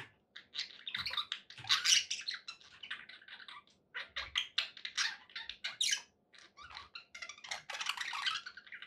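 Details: Pet budgerigars in a happy mood, giving clipped chirps and scratchy warbles in irregular bursts, with a quiet gap midway and a denser stretch near the end.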